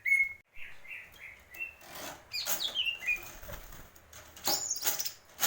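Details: Greater green leafbird singing in the 'purwo mendem gadong' style: a run of clear, short whistled notes, some steady and some slurred, then broken, chattering phrases mixed with loud rustling and clattering bursts.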